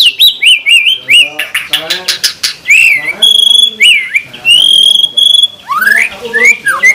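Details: Murai batu, the white-rumped shama, in a 'full isian tembakan' tutor song: rich varied phrases of rapid rattles, slurred whistles and long steady high whistled notes, changing every second or two.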